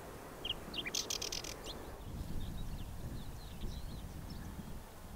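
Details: Whinchat giving a single short burst of grating, high chirps that stops suddenly. Low rumbling background noise follows.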